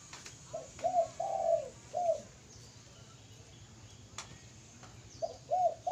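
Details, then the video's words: Mellow spotted dove coos, a phrase of four hollow notes with a drawn-out third coo, then a pause and the phrase starting again; faint clicks in the background. "burung tekukur mantaf suwara ya"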